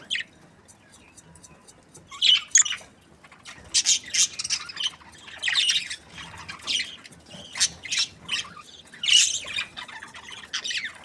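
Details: Budgerigars giving short, harsh, high squawks in scattered bursts, several loud calls around the second and ninth seconds with quieter chatter between and brief silences.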